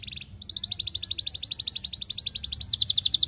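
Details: Canary song given while courting a female, used as a lure to set other canaries singing: a long rapid trill of evenly repeated high notes, about four per second, shifting pitch near the end, with low background noise.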